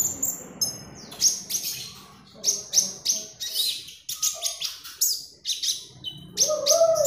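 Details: Magpie robin song used as a lure for training birds: bright whistled and chattering phrases with sharp high notes and short slurred whistles, delivered in quick bursts over faint background music.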